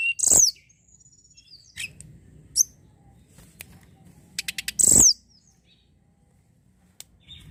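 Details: Sunda robin song meant to lure untrained birds: two loud harsh downslurred bursts about four seconds apart, with thin whistles and a quick run of clicks between them.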